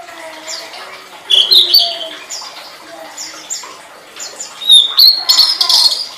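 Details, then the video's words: Tledekan (flowerpecker) song used as a master recording for training songbirds: high, thin chirps and sharp slurred whistles, with a louder busy burst after one second and another near five seconds, over faint low notes. "Suara Burung Tledekan"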